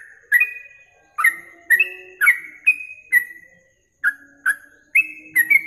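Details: Training recording of a yellow-vented bulbul for songbird contest practice: clear falling whistles in irregular bursts with a brief gap midway, over a faint low steady hum.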